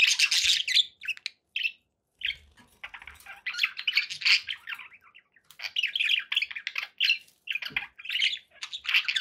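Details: Budgerigars kept as pet birds, giving bursts of squeaky, scratchy warbles and short chirps broken by brief pauses, with a few soft low clicks.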